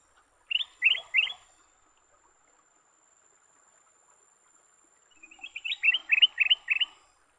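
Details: Caught leafbirds fighting: three loud, harsh, rising notes, then after a silence a faster run of six or seven similar notes that builds in strength.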